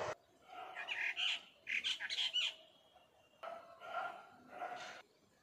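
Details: A Brahminy starling in Maharashtra, India, gives harsh, gurgling chatter in squawky bursts of varied notes, pausing between phrases, over faint background hiss.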